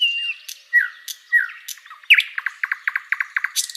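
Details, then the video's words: Flycatcher singing on a tutor recording for training cage birds: a varied phrase of thin whistles and downslurred notes, then a brisk run of short, sharp repeated chirps with a few high, scratchy accents. "SIKATAN LONDO || MASTERAN BURUNG"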